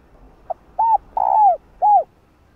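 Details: Single call phrase from a female spotted dove calling a male: a faint short note, a rounded coo, a long sliding downward coo and a final arched coo, all low and soft.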